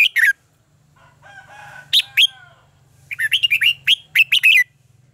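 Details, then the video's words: Red-whiskered bulbul singing in contest style, as lure song for training birds. A short whistled opening leads to a low harmonic warble, then a fast run of loud, bouncy, rising-falling whistled notes over a faint low hum. "luyện giọng cho chào mào hót hay - căng lửa, chào mào hót quá phê"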